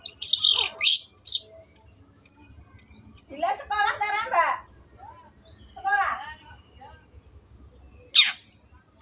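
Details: Long-tailed shrike tutor song for caged birds: a scratchy chatter, then a run of evenly spaced thin whistled notes about every half second, followed by lower harsh, jumbled sounds and a faint closing note.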